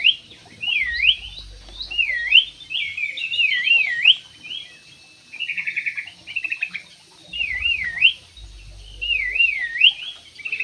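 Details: Javan pied starling song made of loud, high wavy whistles that swoop down and up, repeated in phrases every second or two, mixed with short rattling trills and a few gaps.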